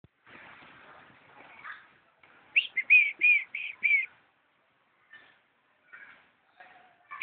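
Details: A caged eagle at Chiang Mai Zoo gives a quick run of five high, thin piping notes, each slightly slurred, after a stretch of rustling noise; a few fainter notes follow.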